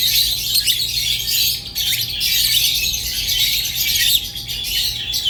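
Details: Budgerigar keeping up an unbroken stream of harsh, buzzy chatter with scattered squeaks, accompanied by a thin steady background tone and low hum.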